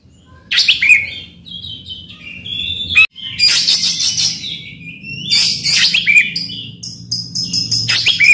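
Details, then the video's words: Oriental magpie-robin in full, rich song, played to provoke a silent bird to sing: loud harsh bursts and buzzy notes alternating with clear whistles falling to a steady tone, separated by short pauses. "PANCINGAN KACER AGAR NGEPLONG"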